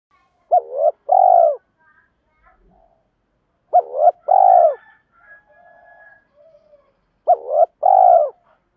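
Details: Decoy spotted dove calling to entice wild doves and challenge rivals. Three evenly spaced phrases, each a short upswept coo followed by a longer, buzzy, falling coo, repeat roughly every three seconds. Faint soft whistles are heard in the gaps.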